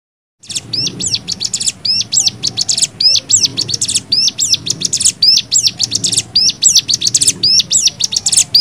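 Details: Cigun song variation used as masteran for young birds: lively, complex phrases of high sweeping whistles and quick chirps, repeated in varied bursts.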